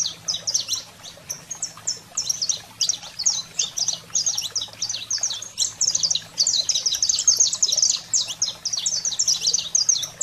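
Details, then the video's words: A saffron finch (canário-da-terra) sings a fast, unbroken run of sharp, high chips and trills, possibly with other finches overlapping, over a faint low hum; the song is meant to stimulate captive canaries. "Canário-da-terra Fogo Selvagem"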